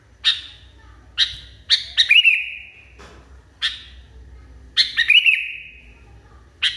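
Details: Sooty-headed Bulbul in an agitated mood, calling loudly with crisp high chirps, some doubled or tripled into short bursts, each trailing off in a slurred descending whistle, with gaps of about a second between phrases.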